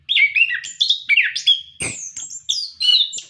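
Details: Captive orange-headed thrush in vigorous song used as a tutor recording for caged birds: rapid sequence of rich, slurred whistles jumping between high and middle pitches, with a sharp click midway.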